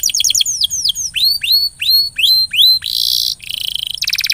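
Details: Lure recording of a canary singing, meant to push a silent canary to sing: quick falling whistles, then slower bright upward-hooked notes, followed by a dense buzzy trill, a lower rolling trill and a fast rattle.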